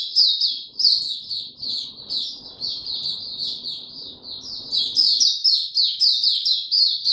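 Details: Pet white-eye singing on 29 April 2022 without health supplements: a rapid, almost continuous, high-pitched twittering song of thin chirps and trills, with a faint low background rumble in the middle.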